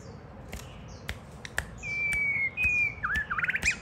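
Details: Caged white-rumped shama singing while a child plays with it and it pecks at a hand; sharp clicks, then long clear whistled notes and a quick warbled phrase.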